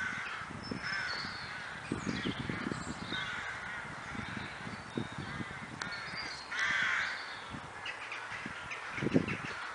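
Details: Crows in Kraaienbos, a wood at Kloosterbos near Vaals, calling in harsh, ragged caws, several loud bursts spread through the stretch with a burst near the end, over a steady outdoor background rumble.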